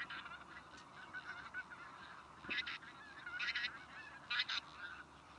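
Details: Tundra bean geese give nasal honks in bursts of two or three, over a steady hum of more geese calling in the background.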